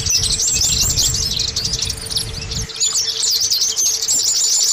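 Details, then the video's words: Oriental white-eye song played to coax caged birds to sing quickly: fast, high, looping trills and chirps in a constant stream, with low rumble early on and a faint steady hum. "Terapi Pancingan Pleci Supaya Cepat Bunyi"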